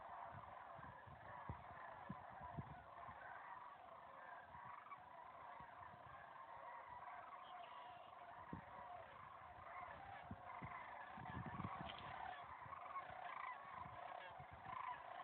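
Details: A dense chorus of Sandhill Cranes at Patoka River NWR, Pike County, Indiana, in January 2015: many rolling, trumpeting calls overlap without pause, with low wind rumble and thumps beneath.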